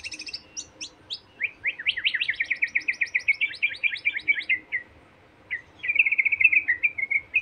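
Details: White-rumped shama in full song, as a trigger to make other shamas sing: high chips, then a long tumbling sequence of quick, varied slurred notes, a brief pause, and a warbled buzzy run.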